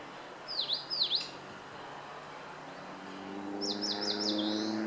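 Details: Eastern crowned warbler song recorded 26 April 2014: two sharp V-shaped whistled notes, then a rapid run of four descending notes that ends in a harsh buzzy smear, with faint low hum behind.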